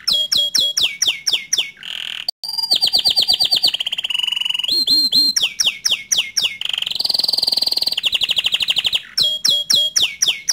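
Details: Canary singing to spur other canaries into song: a long varied sequence of sharp repeated chirps, fast rolls, buzzy low passages and a high sustained trill, loud throughout with one brief pause.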